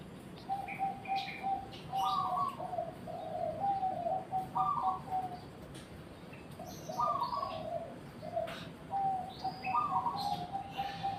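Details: Zebra dove song: rolling series of soft staccato coos ending in a slightly higher note, given in four phrases about two to three seconds apart, faint chirps in the background.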